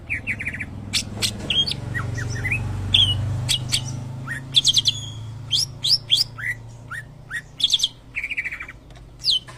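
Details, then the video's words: Greater green leafbird imitating a shama's song: bright whistled phrases mixed with short buzzy trills and sharp upward-swept notes, delivered in quick bursts over a constant low background rumble. "cucak ijo rasa murai"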